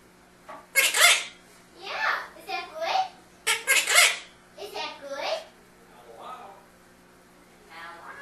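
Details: A female Quaker (monk) parakeet in Maryland talks in a bright, slightly raspy voice, imitating human phrases such as "nice to meet you", "hi baby" and "that's pretty good".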